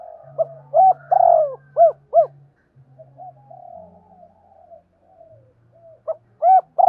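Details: Spotted dove, a calling decoy bird used to lure wild doves, giving loud hooked coos around 700 to a thousand cycles in rapid groups, with softer distant cooing between and a low steady hum throughout.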